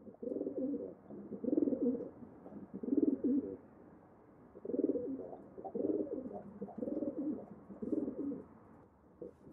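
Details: Pigeons cooing in low, throaty bursts, each phrase a run of rolling, wavering notes lasting about a second, separated by short pauses, in a quiet, enclosed space.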